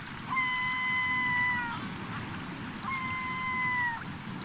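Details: Gulls flocking on a Cotentin beach at summer's end, 7 September: two long, drawn-out, steady mewing wails separated by a pause, over a constant roar of surf.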